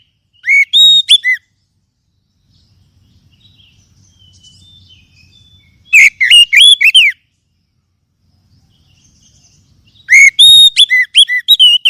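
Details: Three short bursts of Oriental magpie-robin song, played as a lure to stir silent caged birds into singing: bright, clear whistled notes with curving slurs, spaced about four seconds apart.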